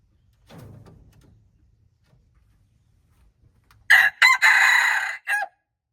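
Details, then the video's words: Red junglefowl crowing on March 2, 2025, after a low rustling rumble; the crow has two clipped opening notes, a long strained buzzy middle and a short dropping close. "red jungle fowl, qaib qus qaib dib txuam txoov"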